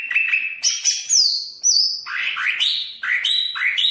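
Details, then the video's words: Greater green leafbird from Banyuwangi. A steady mid-pitched whistle leads into high, thin descending squeaks, then a string of rising slurred whistles repeated at an irregular pace. "Suara Burung Cucak Ijo Banyuwangi variasi 1"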